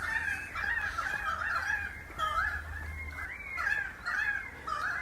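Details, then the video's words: About 30 wild pied currawongs in the tops of messmate eucalypts in the Dandenong Ranges east of Melbourne, Australia, calling for about 20 minutes on 10 September 2023; a cacophony of overlapping rising and falling whistled calls, with a low steady hum beneath. "listening to a cacophony of pied currawongs. They've been doing this calling for about 20 minutes."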